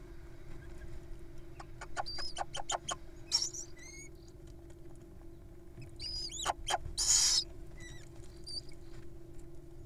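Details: Wild little owls at feeding time give a burst of rapid clicks, then squeaky rising chirps and a long harsh hiss near the end, over a constant low hum.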